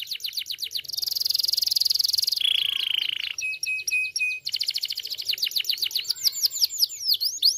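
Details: Canary singing a long varied phrase: quick clicking notes, a sustained buzzy trill dropping into a lower rolling trill, brief pause, then fast repeated chips and swooping whistles.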